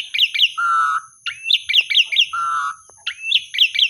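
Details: Asian pied starling singing, offered as a prompt for starlings that have gone quiet or sulky. Clusters of fast, sharply descending whistles are broken by long, level, slightly buzzy whistles, above a steady high-pitched background tone.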